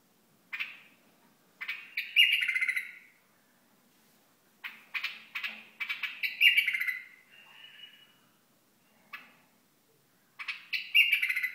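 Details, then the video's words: {'caption': 'Hasawi bulbul singing separate warbled phrases a few seconds apart. Each phrase starts with sharp clicks and ends in a fuller, slurred mid-high note. A faint low hum is heard in the background.'} "بلبل حساوي"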